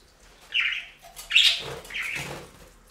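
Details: Pet budgerigars at a bath fountain, three short bright chirps in quick succession, clear and warbled, with faint background rustle.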